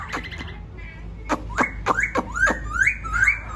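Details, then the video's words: Wild-caught laughingthrush singing: a few sharp clicks and chips, then a series of short rising whistles repeated about every third of a second, over a steady low hum. "khướu bổi hót"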